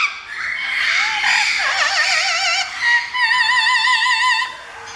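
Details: A parrot at a parrot sanctuary sings up a storm in an opera-like warbling, tremolo voice, with wavering musical notes sliding up and down and held quavering tones near the end.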